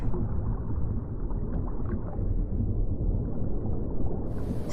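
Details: Dense low rumbling like wind buffeting or churning water, steady throughout, with no animal voices.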